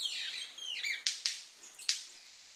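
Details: Golden-collared Manakin from Colombia's western cordillera, males calling at a lek to attract females and snapping wings: high whistled downslurred calls in the first second, then three sharp dry snaps, two close together and one later, over faint background hiss.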